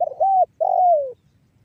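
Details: Spotted dove 'banggo bocor' call, used to lure other doves into calling: two smooth, mellow coos, the second longer and sliding gently downward. Nothing else is heard.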